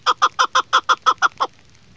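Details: Female chukar partridge (Alectoris chukar) gives nine quick, throaty clucking notes, about six a second, then falls silent.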